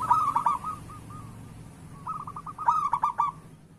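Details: Local zebra dove singing to prompt lazy doves into song: a rolling coo phrase fading into spaced soft notes, a pause, then a rising run of short notes climaxing in a loud bubbling trill, with low hum behind.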